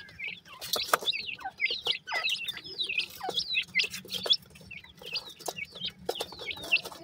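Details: Grey francolin chicks, a pair, giving high, thin peeping calls, each a quick down-then-up slur repeated in rapid irregular runs, with sharp clicking and tapping noises between them.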